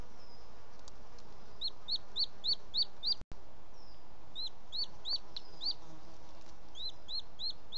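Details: Booted eagle male arriving at the nest with bird prey at dusk, 18 June 2017, Els Ports Natural Park: three short bursts of shrill, clipped whistled notes, six, four and four, with a brief dropout between.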